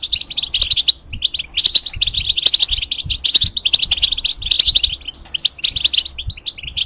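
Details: Caged European goldfinch singing, used to tutor young goldfinches and hybrids in the cage; a fast, dense run of bright twittering and tinkling notes with brief pauses near one and five seconds.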